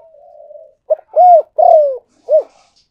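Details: Spotted dove luring call after a faint low murmur: a quick clipped note, a full arched coo, a longer croo sliding downward, then one short rounded coo to close the phrase.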